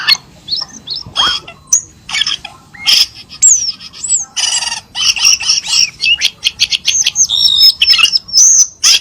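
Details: Cucak keling sound used as a lure for kept birds: a lively jumble of sharp chips, harsh broadband bursts and high twisting whistles, delivered in rapid, irregular succession.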